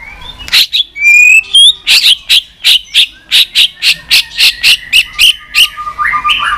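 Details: White-rumped shama giving continuous 'tạch' calls, used to fire up a listless shama: after a few high whistled slurs, sharp bright notes repeat about three times a second in an even run, then end with short level whistles.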